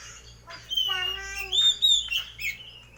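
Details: Caged white-breasted Oriental magpie-robin singing loudly for home entertainment: a varied run of whistled phrases, a low steady note then rising and falling clear whistles with buzzy chirps, over a faint low hum.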